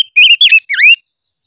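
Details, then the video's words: Voice-training silver-eared mesia, 'hót ché' style: three loud whistled phrases, the first level, the second twisting, the third swooping down then up, all within one second, then silence. "Chim ngũ sắc hót hay luyện giọng - ngũ sắc hót ché / tsheeb quaj"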